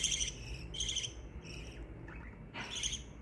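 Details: Pet budgerigars giving happy chirps: a few harsh, buzzy notes in quick succession, a short pause, then a louder chirp, with low background hum.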